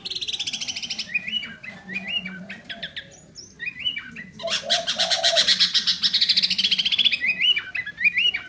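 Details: Sooty-headed bulbul in lively isian, or filled-in, song, mixing stepped whistled phrases with dense rapid trills and a short low warble, over a faint low background hum.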